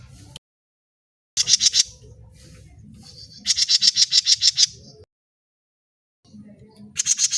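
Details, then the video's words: Grey-cheeked bulbul recording used to lure other birds, with three bursts of quick, high, piercing chirps repeated around four times a second and separated by quiet gaps, over faint low background noise. "Jengot Mini..ll Suara brewes Mini Cucak jenggot mini Pancingan suara burung bahan jenggot mini"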